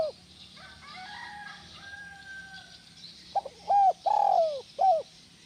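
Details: Spotted dove calls intended to prompt other doves to call: a distant drawn-out crowing sound first, then a loud phrase of a short note, a rounded coo, a long falling coo and a final clipped coo.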